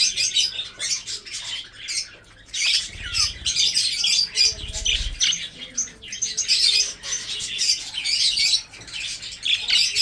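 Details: Budgerigars kept for breeding chatter nonstop, many birds overlapping in buzzy, scratchy squawks and chirps, with a few low thumps.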